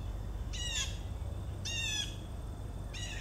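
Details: Background blue jay calls recorded 4 September 2014: three rasping, jeering notes, the last cut short, set against constant low-pitched ambient noise.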